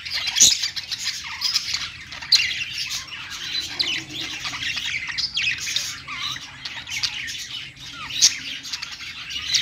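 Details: Budgies singing on a perch: an unbroken dense stream of high chirps, buzzy warbles and occasional sharp squawks across nearly ten seconds.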